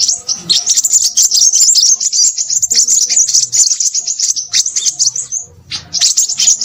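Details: Noisy Crimson sunbird twittering in a long, dense, high-pitched chatter of quick chips and trills. The chatter stops briefly near five and a half seconds, then starts again.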